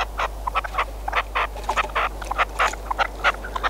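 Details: Caged decoy red-legged partridge calling during a hunt: loud, grating, clipped notes in quick uneven bursts, some doubled, over a constant low background hum.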